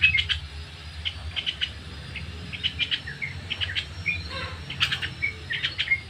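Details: Sooty-headed bulbul in the ngriwik song style, played as a lure to train birds: quick high chirps and short twittering bursts in uneven clusters, mixed with sharp clicks and a low rumble underneath.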